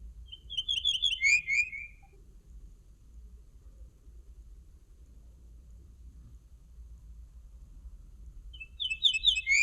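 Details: Common linnet song: a short burst of rapid, twittering, slightly buzzy notes at the start, then a long quiet stretch with only low background hum, and another brief twittering phrase right at the end.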